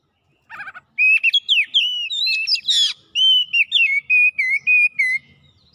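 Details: Energetic oriental magpie-robin song full of copied phrases: a brief buzzy note, then a fast run of clear, varied whistles, chirps and sweeping slurs repeated in short bursts with almost no pauses.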